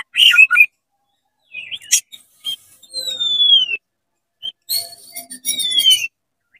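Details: Oriental magpie-robin singing energetically with tail spread, meant to rouse other magpie-robins; clear whistled notes, a long descending slurred whistle, then a burst of higher fluttering notes and another falling whistle, with short silent gaps.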